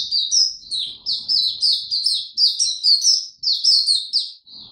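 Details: Oriental white-eye singing tiong aw, recorded 25 January 2022 after a late night: loud, bright, high-pitched twittered notes repeated rapidly in an unbroken chain, ending in a softer trailing note.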